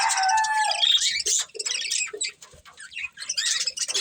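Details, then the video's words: Breeding pair of budgerigars eating, giving a loud harmonic whistle that slides down, then dense scratchy chattering and chirps in uneven bursts with short pauses. "Beautiful Budgies Chirping Sounds"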